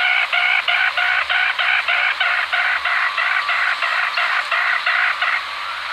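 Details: Black rail song: a long, steady series of buzzy, harmonic notes, evenly repeated about three times a second throughout, over a constant background hiss.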